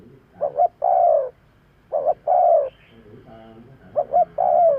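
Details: Spotted dove calling, a recording used to lure birds: three phrases, each two short clipped hoots followed by a long, slightly falling coo, spaced about 1.7 seconds apart in a quiet setting.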